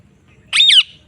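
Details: Parrot calling outdoors in a field; a single harsh, squawky note lasting about a third of a second, then a falling tail.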